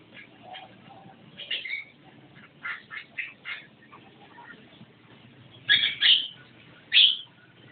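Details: Javan myna in "gacor" song, delivering a series of clipped, rasping notes spaced through the first half, followed by three louder, shrill squealing blasts.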